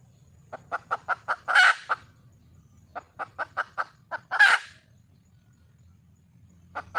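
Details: Red junglefowl hen calling for a male: steady runs of clucks, each ending in a loud, harsh squawk, heard twice, with a low background rumble and more clucks at the end.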